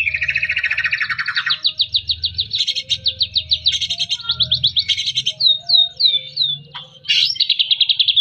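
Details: Rich 'gacor' song of a white-rumped shama, played to rouse lazy shamas: a fast run of rhythmic chattered notes, then clear downslurred whistles and a rising sweep, with a faint low hum beneath.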